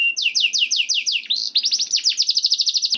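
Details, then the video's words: Canary song as a stimulus for canaries to sing: evenly spaced falling whistles about five per second, then a faster run of bright repeated notes. "MASTERAN KENARI YANG COCOK UNTUK KENARI ANDA ISIAN MEWAH JAMIN NYAUT GACOR #57 || VOICE OF CANARY"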